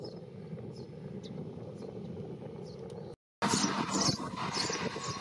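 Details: Two or more Eurasian tree sparrow chicks in a pipe nest behind a traffic sign beside a busy street beg as a parent arrives to feed them. Thin, high chirps are faint at first, then come in louder rapid bursts after a short break, over low traffic rumble.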